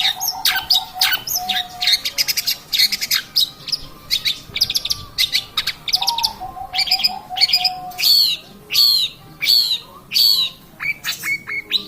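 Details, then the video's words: Lively long-tailed shrike song for luring birds, packed with quick chirps, trills and harsh buzzy notes, later shifting to evenly spaced, downslurred high notes roughly every half second, with a few low sustained whistles underneath. "pancingan cendet gacor"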